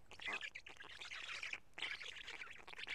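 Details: Harsh, scratchy calls pour from black stork chicks at Karula during a feeding on 31 May 2017, 12:47. Two dense bursts are split by a brief pause.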